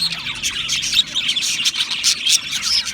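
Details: Australian parrots chirping together in a lively, high twitter, with short whistled pips and scratchy notes tumbling over one another.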